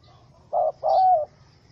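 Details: Angry wild spotted dove in a small rope trap, 04/07/2017: a single pair of low coos, a brief note and then a longer, gently falling one.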